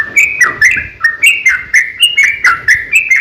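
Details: Sooty-headed bulbul fighting song used to lure other bulbuls into singing; evenly paced, liquid slurred whistles, roughly three a second, alternating higher and lower pitches.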